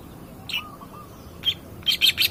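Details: Lure recording of a lively long-tailed shrike meant to provoke other birds: a lower drawn-out whistle, then sharp high chips, ending in a fast cluster of three harsh, squeaky notes over faint background hiss.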